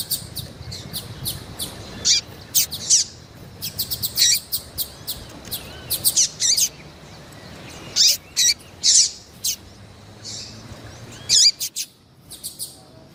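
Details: Female variable seedeater, kept as a cage bird and in heat, calling persistently: bursts of high, thin chirps and louder buzzy notes in irregular clusters, with short pauses between groups.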